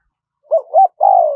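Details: Wild-style spotted dove song in a small voice, meant to lure wild birds in: two short, rounded coos followed by a long, steady coo that fades downward. The background is clean.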